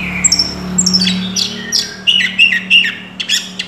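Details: Oriental magpie-robin in lively, fully developed song packed with learned phrases: varied high whistles, slurred notes and sharp chirps in quick irregular bursts, over a steady low electrical hum.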